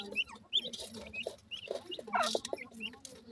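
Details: Grey francolin chicks: thin, high peeps and short downslurred whistles scattered irregularly, several in quick succession, with a brief louder cluster of descending notes near the middle over a low background rumble.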